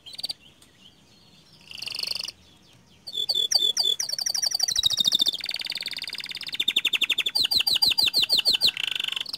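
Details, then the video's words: Canary of the panda colour variety delivering long rolling song: after a soft start, sustained rapid trills and long high phrases, each changing tempo and pitch, with repeated sharp swept notes. "Suara Kicau Kenari PANDA Gacor Ngerol Nembak Panjang"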